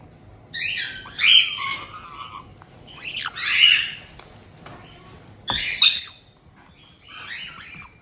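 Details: Caged white-bellied caiques in Hokkaido's Tokachi area on 18 June 2023, an older pair receiving a young bird just over two months old. Three loud grating screech bursts roughly two seconds apart, then a softer squawk, plus a knock.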